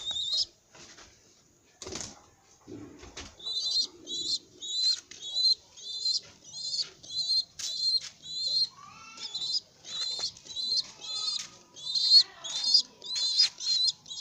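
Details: A baby pigeon walks about while uttering thin, high, wheezy squeaks, repeated steadily about twice a second, with some scuffling and rustling at the start.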